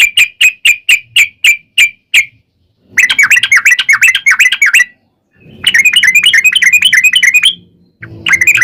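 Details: Sooty-headed bulbul 'ropel panjang' lure song meant to prompt other bulbuls to sing: a series of sharp separate chirps, then dense fast chattering bursts split by short silences, with a faint low hum under the later parts.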